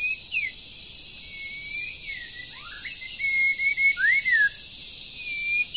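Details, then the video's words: Moulting wild bird singing in the breeding season while being trained: long level whistles broken by sharp downward slurs and a bright rising-falling note near the end, against a steady high-pitched hiss. "Chim Rừng Đang Thay Lông Mà Chíên Quá • Dợt Chim Mùa Sinh Sản"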